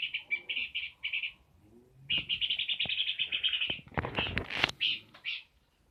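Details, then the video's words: Lively peor bird song of quick pulsing high chatter, a pause, then a long rattling run ending in short bursts mixed with loud clattering knocks. "Burung peor gacor"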